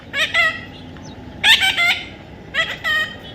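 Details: A baby parrot utters three short groups of coarse, buzzy squawks, each with two or three quick notes, against a low steady background hiss.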